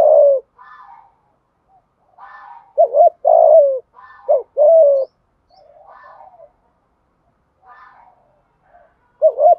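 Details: Thúc gù cooing of a spotted dove, meant to excite decoy birds: loud, hollow low coos in short bursts alternate with fainter, higher murmuring coos, perhaps from a second dove.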